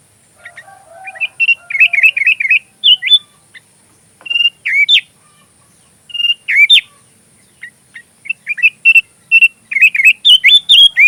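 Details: Kutilang, the sooty-headed bulbul, in lively 'gacor' song meant as tutoring material for magpie robins: low soft notes open into quick bursts of bubbly whistled phrases, pausing briefly, then a rapid chattering run of clear notes.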